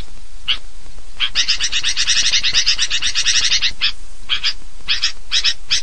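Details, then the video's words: Sooty-headed bulbuls in a lure recording for attracting birds: dense, noisy chatter of bright, rapid chirps, bursts running together for about two seconds, then separate short chirp groups repeated roughly twice a second. "suara pikat kutilang ribut ampuh"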